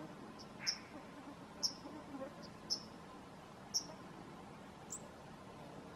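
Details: Bunting fledgling calling: short, very high, thin chips repeated about once a second, each a sharp isolated tick, over a quiet hissing background.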